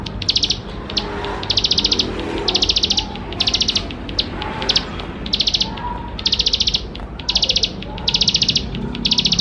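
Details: Bar-winged prinia delivering a chattering, fill-in-rich song to lure young birds into singing: long series of fast high rattled bursts, each about half a second, repeated almost once per second with faint mid-pitched noise beneath.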